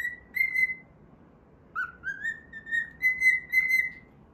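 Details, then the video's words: A cockatiel whistles a song while playing, one sustained tonal phrase, a pause, then a rising, evenly paced sequence of clear notes about two per second. "歌いながら遊ぶミロ｜Milo playing while singing."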